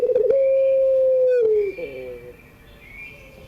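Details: One long pelung coo of a puter dove, recorded in the afternoon for young birds learning to call: a smooth, steady low note held for over a second, sagging at the end, then fading to quiet.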